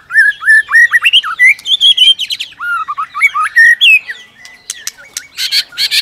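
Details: White-rumped shama pouring out fight-song to rouse another shama, tail flicking and clicking; fast, varied whistled phrases about four per second, looping up and down, closing with loud harsh chattering bursts.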